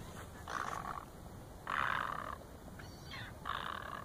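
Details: Black-necked swans among other birds at Cáhuil, 13 km south of Pichilemu, sixth region, Chile, in 2014; three loud, nasal, wheezy calls about a second apart, each a broad honking burst, over steady low background rumble.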